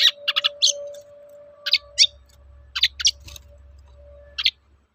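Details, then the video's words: Long-tailed shrike uttering toet-toet notes to provoke other shrikes. Short clusters of high, shrill notes come in bursts, over a steady mid-pitched tone and a low droning hum. "Suara burung cendet gacor toet-toet memancing emosi cendet bahan agar cepat gacor"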